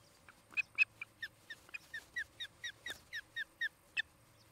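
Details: Osprey from a pair at a nest cam in Charlo, Montana, 17 August 2018, a couple that built a new nest near a Great Horned Owl family: a series of about fourteen sharp, downslurred whistled chirps, evenly spaced, over faint low hum.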